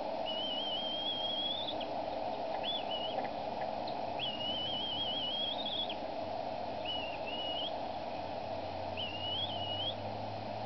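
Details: An adult female bald eagle at the Decorah nest on 23 April 2012 screeches at her mate while he feeds the eaglets their evening meal: five bouts of thin, high, chittering whistles, wavering and stuttered, over a wind-like rush.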